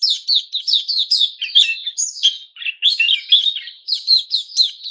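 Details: Lively, varied song of a caged white-crowned shama in its new-feather season, 6 September 2021: quick chirps mixed with lower slurred whistles and a brief high rising note, continuing without a break.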